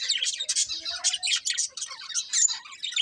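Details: Colourful budgerigars keeping up a continuous busy chatter of rapid, scratchy, high-pitched chirps and short warbles with almost no gaps.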